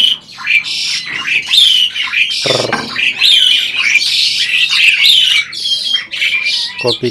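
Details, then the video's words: Adult Asian pied starling kept as a breeding bird, said to be talking: harsh, scratchy chatter mixed with short bright whistled slurs, with a few louder clicks and bursts over seven seconds. "burung jalak ini malah ngajak ngomong"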